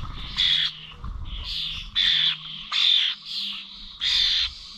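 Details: Common starlings recorded on 21 November at bird feeders in Corby Old Village: loud harsh squawks about every second, alternating with quieter wheezy notes, over a faint low hum.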